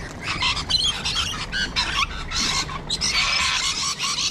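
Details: Raucous flock noise from Sulphur-crested Cockatoos and Rainbow Lorikeets in Sydney, Australia: grating, broadband screeches follow each other closely, with a sustained harsh squawk filling the final second and a half.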